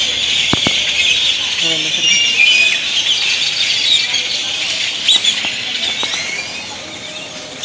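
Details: Great-tailed grackles flying in and settling to roost in Indian laurel trees, Granada, Nicaragua; a dense clamor of squeaky whistles and chattering notes from many birds, with a few sharp clicks and distant street noise.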